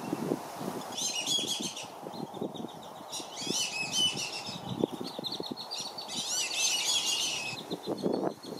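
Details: Black-bellied whistling ducks in Lakeland, Florida, where parents fly and swim at intruders to shield their young. Three loud bursts of squealing, multi-note whistles come about every two to three seconds, with lower chattering between and steady water splashes.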